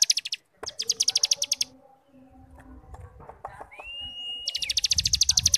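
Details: Ngebrem song of a cigun starling, meant to prompt young birds to sing: quick rattling pulses, a quiet gap, a rising level whistle, then renewed fast chatter.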